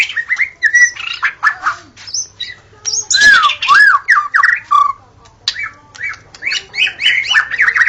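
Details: Forest recording of a white-rumped shama in full gacor song. Sweet whistled phrases and arching slurred notes mix with scratchy rattles. A loud burst of rich, looping whistles comes midway, then bright, quick phrases follow.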